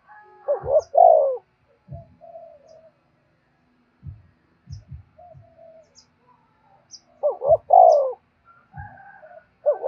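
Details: Spotted dove cooing to attract wild doves, two loud phrases about six seconds apart, each a quick rising note then a drawn-out falling coo, with soft low thuds and quiet murmured notes between.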